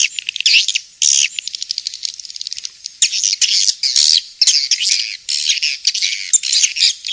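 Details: Swiftlet calling in bursts of high, harsh chirps and squawks, alternating with quick runs of sharp clicks and short pauses.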